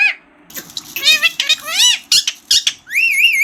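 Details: Green parrot voice, loud harmonic speech-like syllables with arching pitch, a few sharp clicks, ending in a long wavering whistled note.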